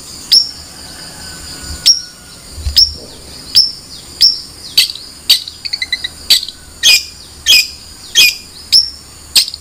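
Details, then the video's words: Long-tailed shrike repeating loud, sharp chirps roughly every half second to second, with a brief soft trill in between; faint steady hiss in the background. "Suara Burung Cendet"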